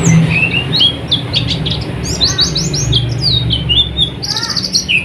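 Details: Oriental white-eye song played at night to encourage birds to sing: lively twittering of high, slurred chirps in quick bursts and a few lower notes, over a strong low droning hum.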